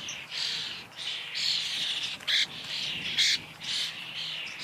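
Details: Common starling: harsh, squawky chatter running almost without pause, with louder bursts roughly every second and brief sharper shrieks near the middle, all high-pitched; no other clear sounds.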